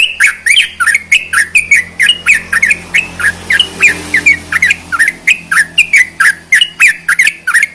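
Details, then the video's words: Sooty-headed bulbul in song, used to excite quiet bulbuls into singing. A fast string of short, chattering, slurred notes at roughly three to four per second, sharp and clicky, over a soft background hum. "CEPAT MERANGSANG TRUCUK MALES BUNYI"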